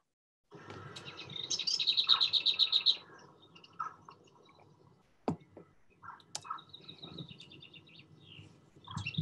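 Lesser Whitethroat song: a quiet scratchy warble running into a dry, rapid rattle of even notes, then a second shorter burst after a pause.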